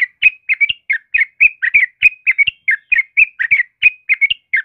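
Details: Sooty-headed bulbul (trucukan kebo) in lively morning song: a continuous chain of cheerful, bubbling whistled notes, often paired or tripled, packed closely with hardly a break and a few soft clicks below.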